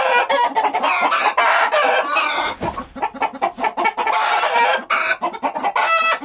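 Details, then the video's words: Roosters crowing loudly and harshly with buzzy rapid clucking bursts and a few drawn-out strained crows, likely more than one bird at once. "Rooster Sound | Rooster Crowing | मुर्गा की आवाज | Cock sound | Murga ki avaj"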